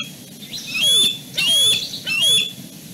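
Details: Wild young bald eagles squabble over branch positions at their Fraser Point nest at dusk. Three high, sharp, whistled yelps roughly every 0.7 seconds, each sliding upward and trailing into a lower slurred tone.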